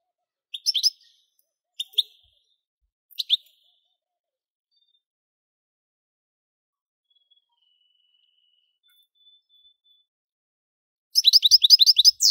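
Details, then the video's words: Three short sets of sharp high chirps from a singing goldfinch, then a long near-silent gap, closing with a rapid burst of tinkling twitter. "Most sweet goldfinch singing | Goldfinch singing"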